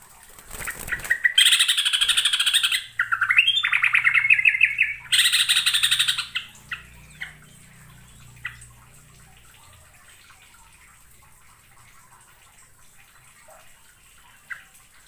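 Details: Yellow-vented bulbul from East Java in loud, dense bursts of bubbly, chattering song for about five seconds, then a few scattered short chirps over a faint low hum; used as a lure recording for trapping.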